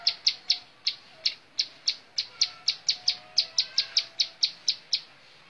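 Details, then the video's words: Bar-winged prinia singing montal mantul: crisp, high, clicking notes repeated several times a second in a steady, bouncing series with little background noise. "Suara Kicau Burung Ciblek Sawah montal mantul"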